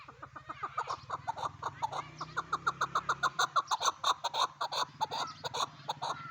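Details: Chukar partridge giving a long run of hoarse, clucking chuk notes, about three per second, building in loudness; a low steady hum underlies the first half.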